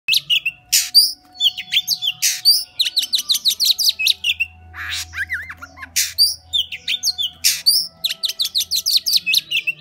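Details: Oriental magpie-robin singing in the song style called "múa 13 kiếm": dense bursts of rapid, sharp high chirps and whistled notes, grouped in quick phrases separated by short gaps, with a steady low hum in the background.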